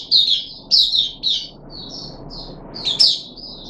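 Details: Caged puff-backed bulbul on the third day of a deworming treatment, 14 July 2021: short bursts of high chirpy, slurred notes in three quick groups, then softer trailing chirps and a final louder burst, with quiet room hum below.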